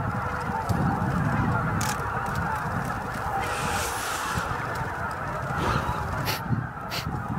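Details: Greater white-fronted geese streaming into their night roost at Miyajima-numa, Bibai, Hokkaido, at dusk on 11 April 2016, roughly 15,000 birds. Rapid, irregular overlapping honks form a dense flock chorus over low rumble and brief noise bursts.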